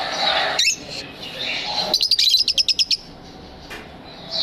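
Lovebird chirping: a quick run of about nine sharp, high chirps over one second, with other shrill calls and chatter around it.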